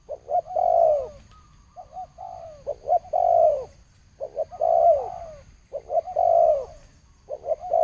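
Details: Spotted dove in the thổ sấm cooing style, 2020: phrases of two or three quick short coos and then a long, rounded, descending coo, repeated about every one and a half seconds in an even series.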